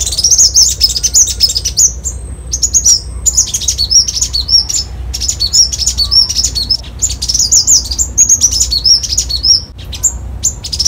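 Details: Copper-throated sunbird in a rapid, loud, high-pitched twittering song, dense strings of thin, sharp notes with brief pauses, continuous across the whole passage.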